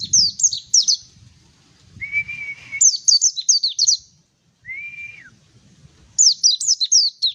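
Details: Song of a mountain white-eye: quick runs of high, sharply slurred chirps, broken by level trilled whistles at a lower pitch, one of which ends in a falling slide.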